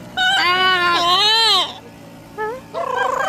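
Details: Yellow-naped amazon, a pet parrot, singing: a long wavering harmonic note rising and falling, a brief pause, then shorter rising notes and a final quavering, vibrato-like phrase, somewhat crying in tone.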